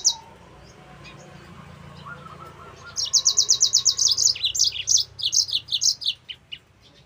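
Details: Yellow-fronted canary singing a training song for other canaries: after a quiet start, a fast run of high, sharp chirped notes, repeated about three per second, then varied slurred phrases fading at the end.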